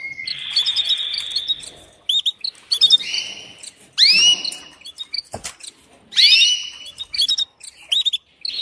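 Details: Female canary calling a male to mate. A steady, thin whistled tone opens the sequence, followed by bright upward-sweeping chirps and scattered short twitters. The calls come in irregular bursts with gaps of quiet between them.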